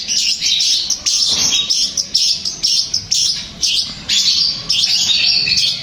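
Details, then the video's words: Long-tailed shrike singing, a song used to provoke another shrike into replying and singing: high, scratchy chirping phrases repeated about twice a second, with rasping buzzes between. "Berikan suara ini untuk cendet anda pasti akan nyaut dan gacor"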